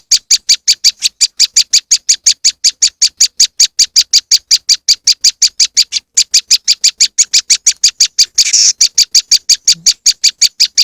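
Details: Moss wren lure sound: rapid, evenly repeated harsh high chips, around five per second, with one brief gap and a short noisy burst near the end.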